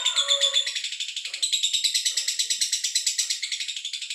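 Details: Male lovebird giving a fast, steady chatter of high, rasping chirps, about eight per second, continuing throughout, with a brief lower tone at the start.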